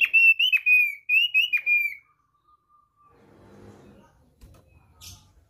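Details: Thick-billed white-eye song used as a lure to make other birds sing: two bursts of clear, high whistled notes, each slurring downward, then a faint low murmur and light knocks.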